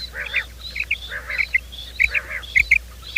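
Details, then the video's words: Quail calls for morning trapping lures: punchy short high notes in irregular bursts, interleaved with buzzy lower harmonic calls and faint higher wavering notes, a dense chorus of several birds. "Bater ki awaaz , batair ki subbha keliey awaz 2025 , batair ki awaz , bater ka awaaz, quail sound"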